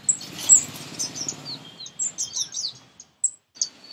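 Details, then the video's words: Small sunbird in a garden in India: high, sweet chirps and thin slurred whistles in a short, scattered sequence, with soft rustling at the start. "Song Of Sunbird"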